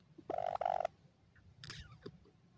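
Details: Grey francolin chicks, called dakhni teetar, in a happy mood give a loud doubled rasping note followed by a fainter, falling, scratchy call, over a low background hum.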